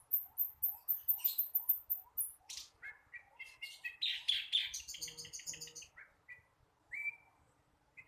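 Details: Young flycatcher still learning its song: a fast, varied stream of high chirps and short trills, with buzzy rattles and a few rising whistled notes near the end.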